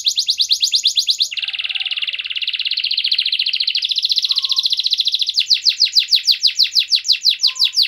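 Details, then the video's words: Canary singing loudly and clearly, used as a lure to prompt silent canaries to sing: fast trilled song of rapid repeated notes, shifting from a high buzzy trill to a lower rolling trill, then to rising repeated chirps. "KENARI GACOR SUARA JERNIH, PANCINGAN KENARI MACET AGAR CEPAT RAJIN BUNYI"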